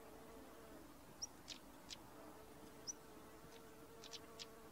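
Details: Stonechat pair calling: scattered dry clicking ticks, sometimes doubled, with a couple of brief thin high whistles, all quiet against a steady low background hum.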